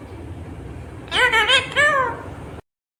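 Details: A talking ringneck green parrot utters a short burst of harmonic, voice-like syllables, two quick notes then a longer falling one, over a steady low hum that cuts out abruptly.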